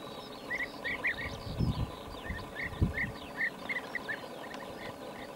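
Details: European bee-eaters (Merops apiaster), 20 May 2019, Lubelskie Voivodeship, SE Poland: short, rolling 'prruip' notes repeated several times a second, with fainter calls from others behind and low rumbling noise.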